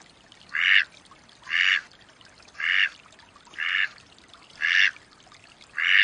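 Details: Loud, harsh quacks from a wild Mallard, six of them at roughly one-second intervals, each short, buzzy and evenly spaced, with only a quiet background between calls.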